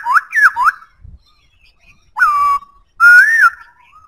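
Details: Three quick swooping whistles, a pause, then a drawn-out falling-and-level note and an arching whistle trailing into soft notes, sung by a White-browed laughingthrush.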